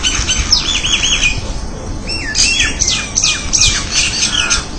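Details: Crested myna (Acridotheres cristatellus) giving a rapid jumble of harsh squawks, wavering whistles and chattering notes, high-pitched and varied, over a low rumble of background noise.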